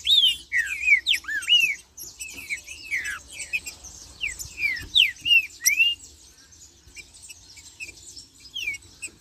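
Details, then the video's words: Green-winged saltator singing in "marcheando" style: quick runs of bright, slurred whistles, each arching up then down, in bursts of a few seconds with brief pauses. "Trinca-ferro Marcheando e Cantando"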